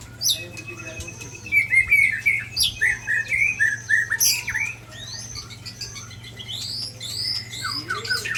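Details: White-rumped shama pouring out rare mimicked phrases: a rapid run of sharp chirps and slurred whistles, then squawky notes and high rising sweeps, varied and restless throughout, with a low electrical hum beneath.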